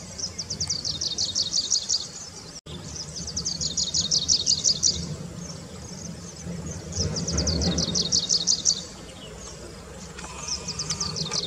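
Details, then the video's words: Grey-breasted Prinia in roadside scrub, giving bursts of rapid, high, dry ticking trills about a second and a half long, repeated with short pauses, over a low background rumble. "Grey-breasted Prinia vocalization"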